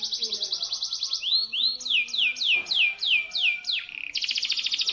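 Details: Local canary song used to tutor magpie-robins: high buzzy trill, two rising swoops, a string of six looping downslurred whistles, then a fast, bright rattling trill.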